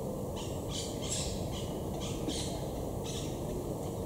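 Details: Wild monk parakeets high in trees at Estepona, southern Spain, in October 2021, courting and gathering nest material: harsh, buzzy squawks in a rapid series of about eight bursts over steady background noise.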